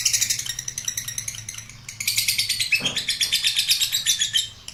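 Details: Long ngekek trill from a lovebird: a rapid chattering stream of shrill notes, dipping briefly in the middle with a soft swish, then resuming strongly in fast regular pulses.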